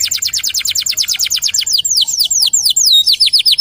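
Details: Local canary in vigorous song, used to lure other canaries into singing: a loud, rapid train of high downward-sweeping whistles, about five per second, slowing into broader swooping notes.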